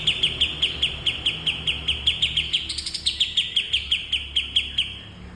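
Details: Training bulbul song for cage birds: continuous rapid chirps, high and sharp, repeated nearly three times a second, briefly rising in pitch midway before settling back into the same ticking rhythm.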